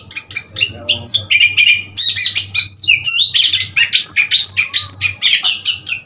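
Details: An Oriental magpie-robin, recorded 3 March 2021, pours out a rich, varied run of sweet whistles, rising slurs and scratchy chirps almost without pause; a faint low hum runs underneath.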